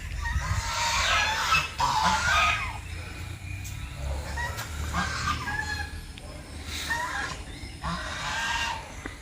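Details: Three ducks at a temple in Veerampalem call loudly as they approach a man, said to charge at and peck people: harsh, nasal quacking bursts in three or four loose bouts, with his talking and a low background rumble.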